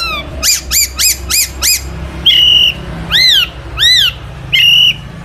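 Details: Long-tailed shrike song full of fills, played to stir other shrikes into singing: five quick rising chirps, then longer ringing whistles, some arching up and down, others level, all with strong overtones.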